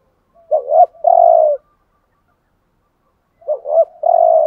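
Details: Decoy spotted dove calling: a wavering double note then a drawn-out mellow coo, the phrase repeated after a long silent pause of nearly two seconds.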